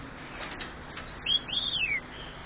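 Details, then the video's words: Pet male superb parrot that mimics human speech, saying phrases such as greetings and thank you; here two thin whistled arcs rise and fall over about half a second, amid faint room hiss. "my superb parrot talking"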